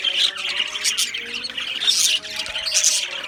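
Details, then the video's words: Chorus of Australian budgerigars in a colony aviary, many birds chirping and squawking at once in dense overlapping high chatter, with brief louder bursts near one and two seconds. "Beautiful Australian Budgie birds Chirping Sounds | Budgie birds sounds"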